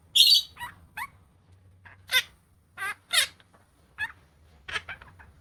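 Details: A talking pet Opaline monk (Quaker) parakeet chatters in about eight short, harsh, raspy bursts of parrot speech spaced unevenly over five seconds. A faint low hum sits underneath.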